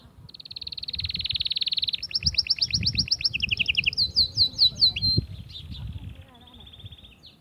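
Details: Atlantic canary song meant to stimulate females for mating: a long, fast, even trill near high pitch, then a buzzier rolled trill with a lower parallel trill, ending in sharp descending chirps and a thin, soft trill.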